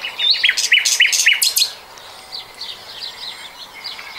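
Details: Common nightingale, 2020: a run of five or six loud, evenly spaced sharp notes in quick succession, then fading soft chirps from the background.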